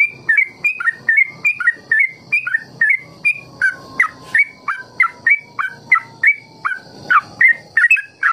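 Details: Yellow-vented Bulbul, locally trucukan, singing ropel to prompt other bulbuls to copy; a long brisk string of whistled notes that swoop down and up, nearly three per second, over a constant faint whine.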